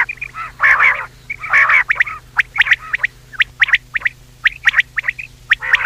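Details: Batair, the common quail, heard in a hunting-lure recording at night: two long nasal calls followed by a rapid run of sharp clicking notes in twos and threes, over faint steady hum.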